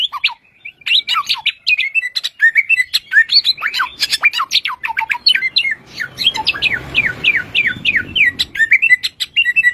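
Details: Bushlark, claimed to have 1001 original sounds, pouring out a dense, continuous medley of chirps, trills and slurred whistles, with a run of repeated rising notes midway over a faint background hiss.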